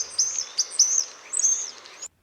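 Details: A European Starling (Sturnus vulgaris) in a spring Arizona backyard sings a quick jumble of thin, squeaky high whistles and dry clicks, several short bursts in two seconds, over faint hiss; the species often mimics other birds.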